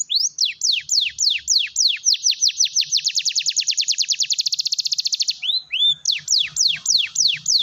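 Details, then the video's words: Canary song for coaxing silent canaries into song: spaced falling whistles accelerate into a fast, tight trill that holds at one pitch, then breaks into rising-and-falling looped notes and slower drooping sweeps. "kenari gacor || pancingan kenari macet bunyi"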